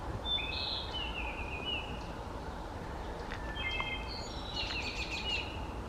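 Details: Wood Thrush in Concord, New Hampshire woodland on 18 May 2020 giving two flute-like phrases about three seconds apart, clear notes ending in a shimmering trill, over low rumble; occasional Chestnut-sided Warbler, American Robin cluck, Baltimore Oriole note.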